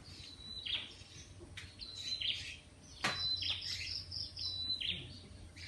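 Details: Birds chirping at sunrise in Malaysia, 6:45am: short high chirps and thin whistled notes in scattered bursts, a few sharp clicks, over steady low background hum.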